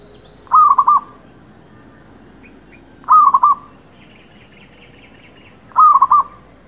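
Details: A zebra dove, used as a lure call for trapping and for new birds, gives soft, rolling cooing phrases of four or five quick notes, repeated about every two and a half seconds, over a faint hiss.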